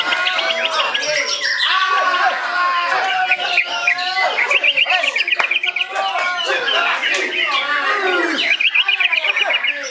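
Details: White-rumped shama pouring out a dense, fast song of clear whistles and chattering notes, broken by several rapid rattling trills repeated in quick bursts, with people talking faintly underneath.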